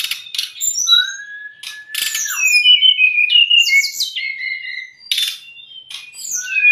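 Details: Tutor and trigger song of a brown-chested jungle flycatcher for caged young or stressed birds. Long clear whistles and warbled slurred phrases alternate with sharp buzzy bursts. Each phrase changes pitch from the one before.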